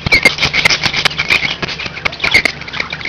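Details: Budgerigars kept as pets chirp in quick repeated squeaky notes, several per second, among rustling and tapping clicks, with a low hum in the background.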